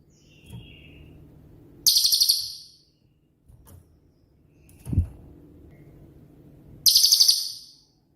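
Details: Cililin, a songbird of 'tembakan' type suited as a master for training murai batu, cendet and kacer: two sharp, high-pitched rattled bursts several seconds apart over steady low hum and a few soft knocks.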